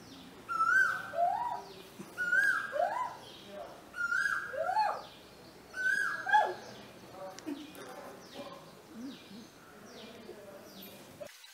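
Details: A woman argues with a male Asian koel at home in Vidhya Nagar, Hassan, India. Four quick exchanges of a level whistle and the bird's rising koo-Ooo are followed by softer calls and human speech.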